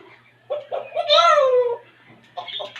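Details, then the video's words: Talking pet African grey parrot indoors, imitating on request: short choppy syllables lead into one long, falling, voice-like tone, followed by brief higher notes, with a faint low hum throughout. "talking parrot | African grey parrot"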